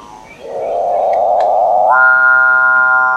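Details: Capuchinbird (Perissocephalus tricolor) song: a rough, grinding buzz builds for about a second and a half, then shifts upward into a sustained, organ-like lowing tone rich in overtones.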